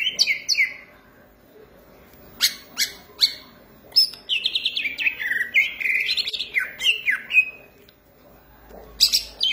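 A green leafbird sings loud, varied whistled phrases, sliding and warbling between high clear notes with short sharp chips, in bursts broken by brief pauses.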